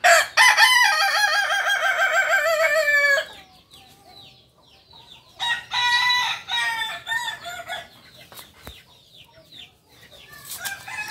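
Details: Native Kukuak Balenggek rooster from Solok, West Sumatra, giving a long crow of rapid, wavering, stepped syllables for about three seconds, followed after a pause by quieter, broken crowing phrases and soft background noise.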